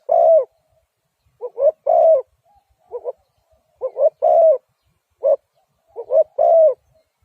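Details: Spotted dove calling repeatedly, each phrase made of one or two quick soft coos leading into a long mellow coo, about four phrases with irregular gaps between them in a quiet setting.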